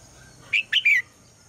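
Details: Red-whiskered bulbul female calling at dawn to draw the male into song, giving a short phrase of three bright notes, the last a longer downward-slurred whistle, with a soft steady hiss behind.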